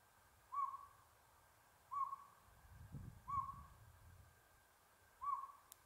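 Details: A Northern Pygmy-Owl at Buckhorn Campground, San Gabriel Mountains, Los Angeles, on 7 April 2022 gives four single, mellow, evenly pitched whistled toots about one and a half seconds apart, with a soft low rumble midway.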